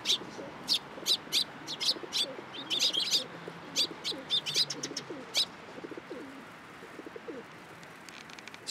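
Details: Sparrows flocking onto a hand for food at a Tenmangu shrine on 14 April 2023; bright, rapid chirps for about five seconds, then sparser, with low pigeon cooing running underneath throughout.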